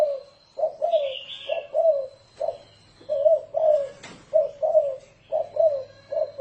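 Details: Spotted dove giving the 'thổ rền' style of cooing, used as a decoy to lure wild doves: low, mellow coos in closely paired notes, repeated steadily, with a faint higher chirping bird and a sharp click midway.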